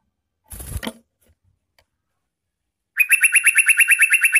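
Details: Yellow-vented bulbul lure song: a short rustling knock, then quiet, then a fast buzzy trill of evenly repeated notes begins and carries to the end.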